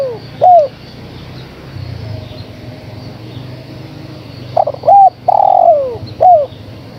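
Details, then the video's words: A female spotted dove calls a male. A lone arched note is followed by a quiet gap, then a full phrase of clipped notes, a long falling coo and a short final hoot. Low rumble in the background. "Suara Tekukur Betina Gacor Memanggil Sang Jantan"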